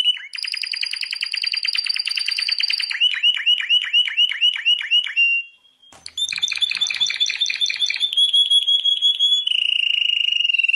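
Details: World champion canary singing: a rapid pulsed trill with bright overtones gives way to repeated downward swoops, a brief pause, then mixed notes ending in a steady rolling trill.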